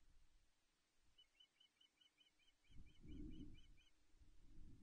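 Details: Osprey on the Loch Arkaig nest on 17 May 2021, during a successful mating, captured by a nest camera: about a dozen evenly spaced, high, slurred chirps run for some three seconds while wind buffets the microphone with a deep roar.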